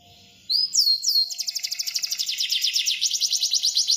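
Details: Canary bursting into song after a quiet start: two high descending whistles, then a rapid, even rolled trill of sharp notes repeating many times per second, steady and loud.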